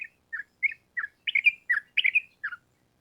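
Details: Sooty-headed bulbul singing in energetic gacor style, known locally as trucukan: short bubbly whistled phrases, about eight separate bursts spaced roughly every third of a second, clear and without background sound.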